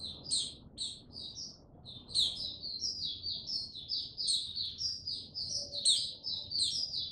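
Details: White-eye male known as mata puteh, warming up slowly toward its Tsunami song, dated 06032022; continuous high chattering twitter, steady runs of quick chirps with sharp upward notes.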